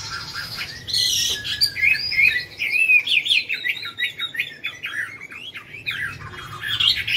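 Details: Chinese hwamei competing in a song contest final in Mỹ Đình: a loud, rich run of high, slurred whistles, repeated quickly in a rolling series, with other birds faintly in the background.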